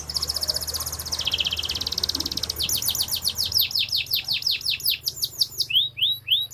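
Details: Canary from a collection in Comal, Pemalang, Central Java, Indonesia, singing fast high trills that shift into a run of repeated sweeping downslurred notes, about eight per second, ending in slower rising slurs.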